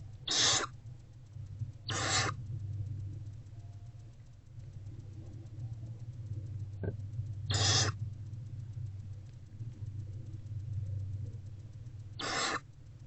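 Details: Barn owlet, hungry and feeding on a rodent inside a nest box on the afternoon of 29 February 2024, gives four short rasping hisses in pairs with long pauses, against a constant low background hum.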